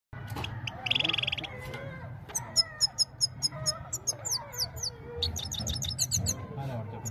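A goldfinch sings a quick, tinkling twitter of high chirps with a short buzzy trill, while people talk softly in the background.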